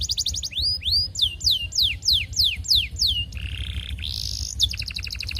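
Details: Courting canary song aimed at a female, meant to set other canaries singing: a rapid trill, then a string of loud falling whistled sweeps about three per second, a buzzy roll, a rising slur and another quick trill.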